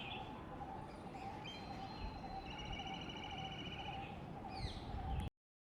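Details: In the green spots of Central Delhi, a black kite, an everyday urban predator often heard soaring overhead, gives a thin, quavering, whinnying trill with falling notes near the end, over a steady hum and heavy background rumble.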